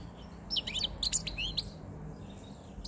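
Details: Caged male European goldfinch with a white chin, wild-caught five months earlier, singing as spring and the breeding season approach: a quick burst of bright, twittering, buzzy notes leaping up and down, then a pause with faint room hiss.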